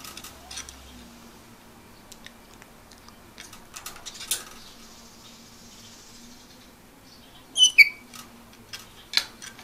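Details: A pet grey parrot imitates bubbling bathwater with soft clicks, pops and a brief burst of squeaky notes, a sound it picked up while bathing with its owner rather than the phrase "bath time" it hears each time.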